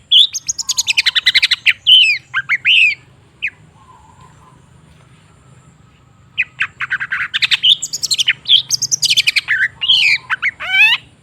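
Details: Long-tailed shrike song used as a lure to restart a silent bird's singing: rapid rattling chatter and harsh buzzy phrases, a quiet pause of about three seconds, then more busy chattering ending in a rising rasp.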